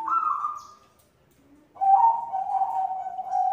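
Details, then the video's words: Female white zebra dove calling the male: a soft, slightly falling whistled note, a quiet low note, then a sustained wavering coo with a faint higher line above it. "Perkutut Putih BETINA memanggil jantan"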